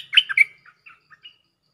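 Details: Cream-vented bulbul calling a mate, used as a lure recording: a loud burst of harsh, chattering notes followed by three or four softer, short chirps trailing off, on a quiet background.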